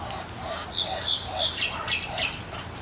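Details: A courting male Muscovy duck gives a run of breathy, raspy hissing puffs, about five in under two seconds, a display to attract a mate, over a faint low background murmur.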